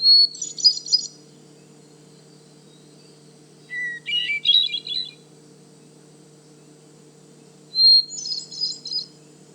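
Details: A Hermit Thrush in the cedar swamp of Manchester Cedar Swamp Preserve, New Hampshire, sings three fluty phrases, each a clear held note and then a shimmering, metallic swirl, at different pitches about three seconds apart, over a low steady hum.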